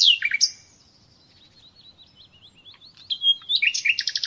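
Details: Common nightingale song used for training captive birds: a loud whistled opening and buzzy notes, then a long quiet stretch of soft wavering whistles, ending in a rapid repeated rattle of notes.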